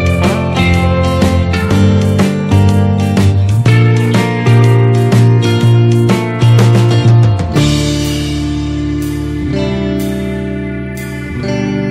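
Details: Steady instrumental music with plucked guitar and a driving beat; no animal calls can be picked out.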